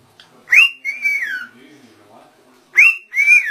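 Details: Talking rose-ringed parakeet said to call "Allah" clearly. Two hoarse, whistled word-like calls, each an upswept note followed by a longer sliding syllable, come about two seconds apart in an otherwise quiet space.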